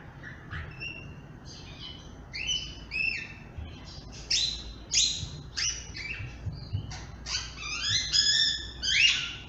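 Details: Grey-headed parrot, described as talkative, chattering in quick bursts of sharp chirps and short whistled notes, roughly one and a half per second, bright and high with uneven spacing, over light background hum.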